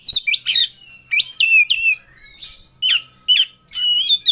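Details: Oriental magpie-robin in 'ngobra' display, fully emotional and seeking a rival: loud, crisp whistled notes with sharp downward slurs, repeated in quick pairs and clusters, ending in a sustained rich phrase.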